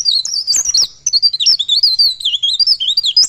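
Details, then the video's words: A ngerol song from a pare pare bird: a steady stream of high, looping whistled notes that rise and fall, broken only by tiny gaps. "Burung Pare Pare Ngerol Bukpar"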